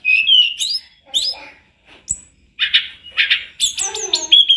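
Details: Tledekan gunung song from a master recording made to train other birds. Varied whistled and chattering phrases in short bursts, some sharp rising notes, with brief pauses between them and no other sounds.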